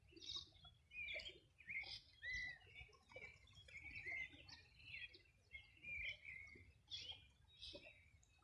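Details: Birdsong by the Río Bueno riverside in Chile's Los Ríos Region, summer morning 2020: several birds give bright, quick chirped and warbled phrases roughly every second, over a faint low background hum.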